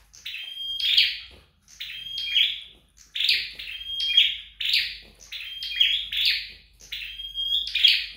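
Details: Flowerpecker training its song at home: six high, buzzy phrases in about eight seconds, each a thin steady whistle running into a bright chattering burst, separated by short pauses; faint low hum underneath.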